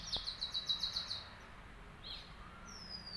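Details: Morning birdsong at a home in Dehradun: a fast, high repeated trill lasts about a second and then stops, followed by quiet with a soft, faint high whistle near the end.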